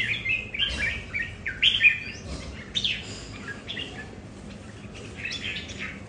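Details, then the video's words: Red-whiskered bulbuls kept at home, several birds competing over territory, each with a different nature: loud chirpy warbled phrases early, a quieter pause, then a renewed warble near the end. "Những CB ở nhà so kè lãnh thổ"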